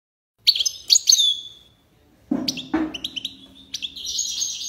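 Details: European goldfinch (Carduelis carduelis), song.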